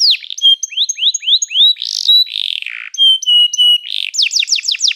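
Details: Canary song used to train other canaries: sliding whistled notes repeated in short series, a harsh buzzy burst, steady flat whistles, then rapid descending sweeps.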